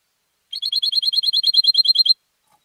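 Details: European goldfinch kept and raised for song contests gives a rapid, very regular series of about sixteen identical bright, high chirps in under two seconds, like a tight rattling trill, with a clean silent background.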